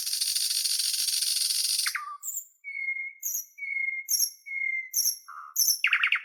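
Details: Nightingale singing on a flowering cherry in Russia: a dense buzzy rattling phrase for about two seconds, then pure sustained whistled notes repeated roughly every second with sharp clicks between, one lower whistle, and a fast trill at the end.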